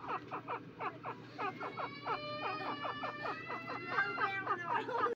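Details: Partridge (teeter) giving soft, caressing calls: a rapid run of short harmonic notes, roughly four per second, some rising, some falling, over a steady low hum.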